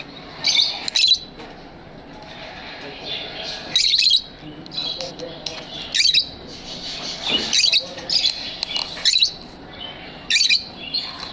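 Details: Pet lovebirds in an aviary giving loud, harsh high chirping bursts, each about half a second long, repeated irregularly every one to two seconds over a quieter background of softer chatter.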